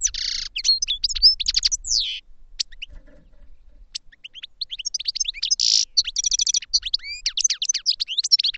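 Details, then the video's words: A lively goldfinch song of fast, high tinkling chirps and downslurred twitters, broken by a short quiet pause, then resuming in a dense, excited stream with buzzy notes. "Goldfinch Song to Educate Newcomers to Their Call"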